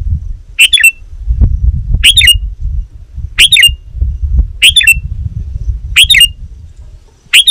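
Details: Sooty-headed bulbul calling rivals, a sound used to lure wild birds in the forest: short bright chirpy phrases with a quick upward flick, repeated roughly every one and a half seconds over a steady low rumble.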